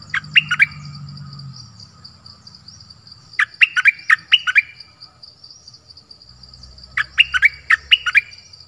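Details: Forest recording from 13 January 2021 of a nok dok taeng decoy bird calling for a mate. Three short bursts of sharp rising chirps separated by pauses, over a constant high whine and faint low rumble.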